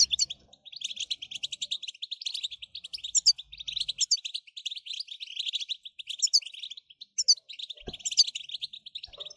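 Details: Goldfinch singing steadily in a dense, rapid rattle of high chirps with occasional sharper accented notes, intended to prompt goldfinches to sing without pause; a faint low thump near eight seconds.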